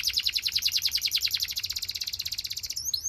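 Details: Singing Belgian canary, meant to make other canaries sing: a bright, rapid rolling trill of evenly repeated notes lasting nearly three seconds, closed by a couple of sharp rising whistled chips.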